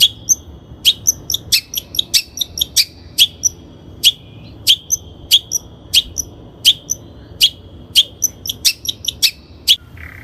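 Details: Training lure of a long-tailed shrike: a long run of sharp, high notes with ringing whistled tails, repeated roughly every half second, occasionally doubled, with a quiet background throughout.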